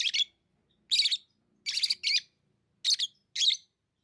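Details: Lovebirds chirp in six evenly spaced, grating bursts, each a rough, high-pitched squawk-like chirp lasting about a quarter second, with clean silence between them.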